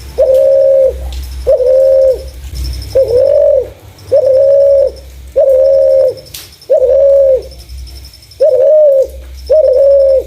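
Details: Spotted dove with a clear voice, used as a lure for other doves: a long run of eight even, level coos repeated roughly every second and a quarter, with a quiet low hum in the background.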